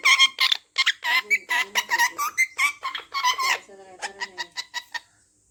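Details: Pet parrot, said to be swearing, chattering rapid speech-like syllables for several seconds, ending in a run of short clicking squeaky notes, indoors.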